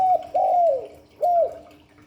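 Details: Close, loud spotted dove coos in the 'Hạp Bổi' style: the tail of one note, a long arched hoot sagging downward at the end, then a shorter rounded coo, with a faint steady hum beneath.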